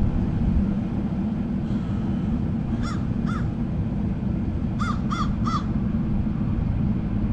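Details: Crows from a murder calling: two harsh caws, a pause, then three more in quick succession, each a short hoarse note, over a constant low droning background rumble.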